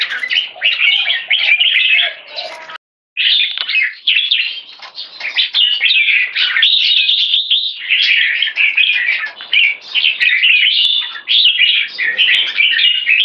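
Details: Captive red-whiskered bulbul giving one stroke singing that leads to keke, a long busy stream of bright warbles and chirps broken by one brief silence early on, then carrying on unbroken to the end.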